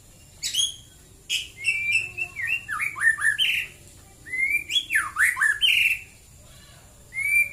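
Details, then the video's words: White-rumped shama singing in the morning near Prambanan, Klaten, Central Java: clear whistled phrases, sharp up-and-down slurred notes in quick runs, pauses between bursts, and a steady faint high electronic tone throughout. "KICAU BURUNG MURAI BATU DI PAGI HARI"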